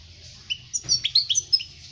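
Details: European goldfinch song, played for teaching young birds to sing: a short burst of sharp, high twittering notes and quick rising and falling chirps after a quiet start, over a faint low hum.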